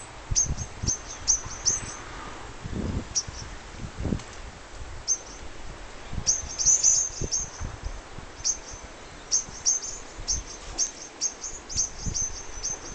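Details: In Galicia, a white wagtail gives thin, very high chips in loose runs throughout, over low wind rumble and soft thumps; white wagtail.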